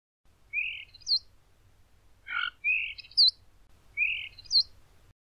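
A starling repeats a short phrase about every one and a half seconds: a buzzy rising note, then a sharp high whistled slur, with one lower harsh note between.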